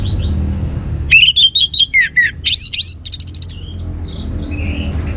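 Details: Orange-headed thrush song meant to spur other birds to sing: a lively sequence of descending and rising whistles, a few loud upswept notes, then a rapid trill of short chips, trailing into soft distant warbles.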